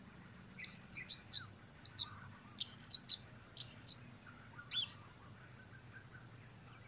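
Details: Blue-crowned hanging parrot outdoors, shrill high chips in short irregular bursts of two to four notes, separated by brief quiet gaps.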